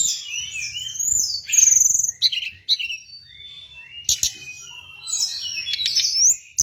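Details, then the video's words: Hill blue flycatcher song played as a master recording to lure and train birds: a dense, varied warble of high whistles and twittering phrases, with short sharp clicks breaking in now and then. "Masteran dan Pancingan burung Tledekan gunung paling ampuh dan fenomenal"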